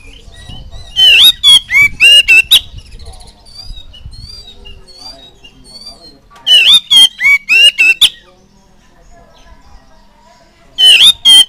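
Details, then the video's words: Oriental magpie-robin song used as a learning prompt for young birds: three bursts of rapid, harsh, ringing notes, with quieter thin whistles between the bursts. "COCOK BUAT PANCINGAN KACER MUDA BIAR CEPAT IKUT BUNYI"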